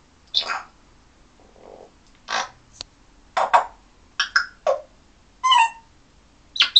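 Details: African grey parrot kept as a pet, calling from his playstand for attention with a varied run of short sounds: clicks, sharp squawks and brief warbled whistles, about one every half second, with quiet gaps in a still room.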